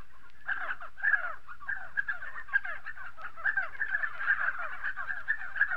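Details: In South Morocco, Spotted sandgrouse produce rapid, bubbling two-part notes that slur downward, several voices overlapping in a lively, almost continuous chorus with short gaps.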